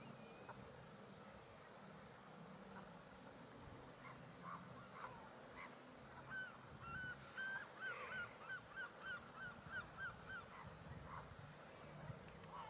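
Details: Eurasian curlew in fading evening light at Pagham Harbour, West Sussex, England, 18 October 2020, gives a run of about a dozen rising whistled notes, quick and evenly spaced, over a low murmur of wind and distant birds.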